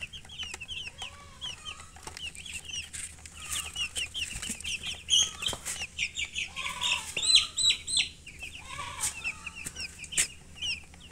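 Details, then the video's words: A brood of young chickens chirping busily, sharp high peeps roughly three a second, mixed with a few lower, softer trilled notes and some brief rustling. "Baby "Chicks Chirping" Sound"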